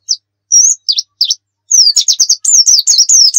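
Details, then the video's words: Pleci dakun from Pacitan, a Javan white-eye in 'gacor nembak' song: a few spaced, thin high whistles first, then a dense burst of quick descending chirps packed tightly together. "masteran pleci gacor nembak full isian"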